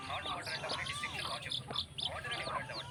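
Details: Flock of chickens and chicks at a rooster farm: crowded, shrill chirping peeps layered over one another without pause, above a steady low hum.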